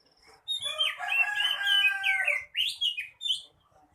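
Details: Male kacer, Oriental magpie-robin, giving a loud harsh rasping phrase with stacked harmonics held for about two seconds, followed by three short, sharp, rising whistled notes.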